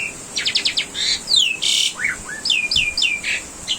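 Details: Asian pied starling master song used for training cage birds: varied clear whistles, some rising and some falling, a quick series of four buzzy notes, then a dense burst and repeated downslurred whistles.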